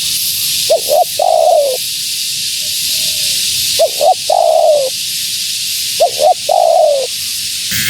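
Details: Spotted dove female calling to attract wild birds. Three phrases come at steady intervals, each a sharp double hoot then a long coo dropping in pitch, with a faint low coo between, over constant hiss.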